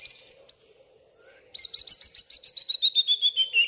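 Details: White-rumped shama agitated at night, pouring out its learned mimicked repertoire: a few high whistled notes, a pause, then a fast, evenly pulsed trill that slides gradually lower in pitch.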